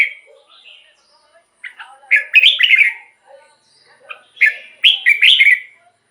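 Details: Red-whiskered bulbul, song played to caged birds to excite them: two rapid, fluty chattering phrases with soft lower notes scattered between them.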